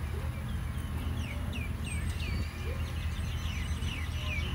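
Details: Birds in Phnom Penh, Cambodia: many short, sharp downward-sweeping chirps come from several birds at once, steady through the clip, over a constant low rumble of traffic or city noise.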